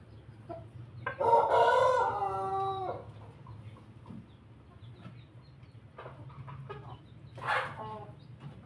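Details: A Pelung cockerel known for its laughing crow crows while feeding, giving one long, rich, throaty crow of nearly two seconds, then scattered clucks and a short, harsh call near the end, with low background hum.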